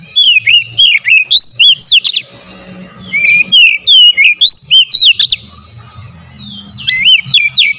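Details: Oriental magpie-robin singing to provoke others into loud, agitated song: strings of bright whistled notes rising and falling, delivered several per second in two long phrases, with a quiet gap and a final short burst.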